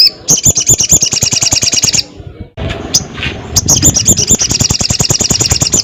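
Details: Vigorous crested jay giving two long, fast, metallic rattles of steady repeated pulses, split by a brief pause with faint background noise.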